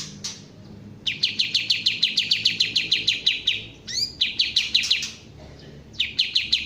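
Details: Kapas tembak bulbul singing rapid series of high, crisp downslurred chips, about three per second. A rising whistle breaks in midway, then the chipping resumes in bursts over a faint low hum.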